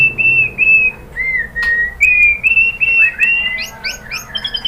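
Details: White-rumped shama song used to provoke caged birds to sing: a sequence of clear, level whistled notes, some slurred or wavering, then a burst of quick, varied, rising and falling notes.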